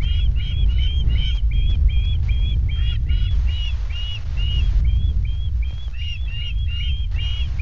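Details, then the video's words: Juvenile ospreys on the nest at Loch of the Lowes, Scotland, at night on 19 August, 21:39, scream a fast run of sharp, whistled, upslurred notes, about three a second, as a barn owl buzzes the nest, over low wind rumble. "Juvies screeched as Barn Owl buzzed the nest"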